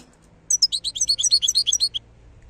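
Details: Wild European goldfinch singing in Algeria: a brisk, continuous string of bright, tinkling twittered notes lasting about one and a half seconds against a quiet background.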